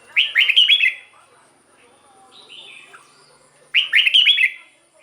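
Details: Red-whiskered bulbul song played to excite caged birds: two bursts of bright, quick warbled phrases of four or five rising and falling notes, separated by about three seconds of quiet with faint softer calls.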